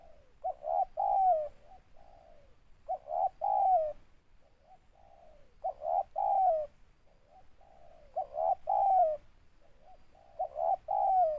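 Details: Spotted dove, a local tekukur with a big, rough voice and trailing notes, cooing in five repeated phrases about every two and a half seconds, each with short notes, a long downslurred coo and soft wavering trailers.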